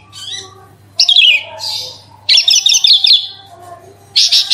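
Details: Branjangan (bushlark) song meant to lure another bird into singing: bursts of rapid high twittering trills separated by short pauses, with a low hum in the background.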